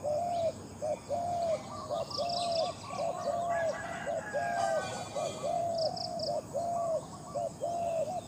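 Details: Competition calling by a spotted dove: a steady run of low, hollow coos repeated about once per second, each note short and slightly rising. Continuous insect drone and faint high chirps sit in the background.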